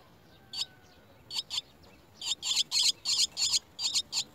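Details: Chestnut-tailed starling nestlings begging as an adult brings worms to the nest: a few isolated high, scratchy chirps, then a rapid run of harsh, buzzy notes about three per second.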